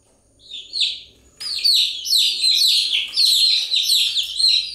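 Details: A few soft chick cheeps open, then the whole group bursts into continuous high, descending chirping.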